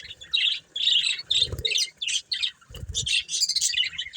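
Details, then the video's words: Budgerigars, a colourful breeding pair, giving short high chirps in quick clusters separated by brief silences, with a couple of low soft thumps. "Colourful Budgies Chirping Sounds"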